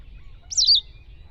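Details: Wild White wagtail giving one quick high tweet, a sharp slurred chirp that drops slightly in pitch at its end, against a quiet low rumble.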